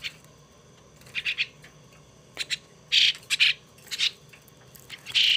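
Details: A young pet starling being tamed and hand-raised gives harsh, buzzy, squawking bursts, single or in quick pairs, spaced irregularly about a second apart, over a faint low hum.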